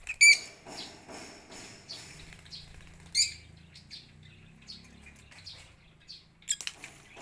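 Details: Morning in a backyard aviary where lovebirds wait in line to feed on corn; a few loud, sharp, high chirps stand apart with quieter twittering and a low hum between them.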